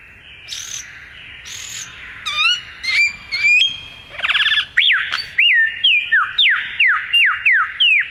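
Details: Bird song: two high thin notes, a few upward-rising whistles, then a steady series of sharp, downslurred whistled notes repeated about twice a second.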